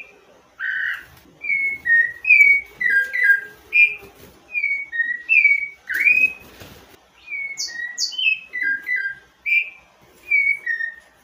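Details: Rufous-bellied Thrush (sabiá-laranjeira), a Brazilian songbird, singing clear, fluting whistled phrases of two to three notes, repeated about every second with short pauses; faint background chirps.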